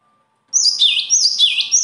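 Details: After half a second of quiet, a bird launches into a rapid, high-pitched phrase built from repeated slurred whistles, each sweeping from a sharp top note down to a lower one, continuing to the end.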